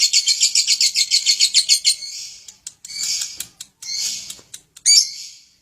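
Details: Lovebird singing to prompt surrounding birds to sing along; a quick run of shrill pulsing notes followed by scattered harsh chatters and a sharp high squeak.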